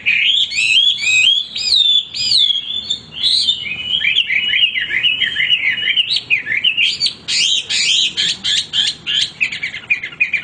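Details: Male hwamei kept in a cage, singing without pause: loud bright whistles sweeping up and down in wavy runs, ending in fast repeated buzzy chirping notes.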